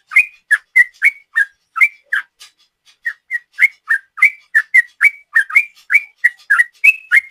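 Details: Sooty-headed bulbul singing a long 'ropel' song, a rapid chattering style used as a lure: short whistled notes near one pitch with sharp clicky onsets, about three per second, with a brief pause midway, no other sounds.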